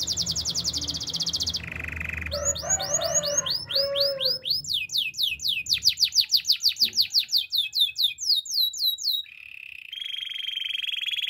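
A Belgian canary sings a long, bright run of rapid trills and rising whistled sweeps, shifting between high rattling phrases and steadier tones.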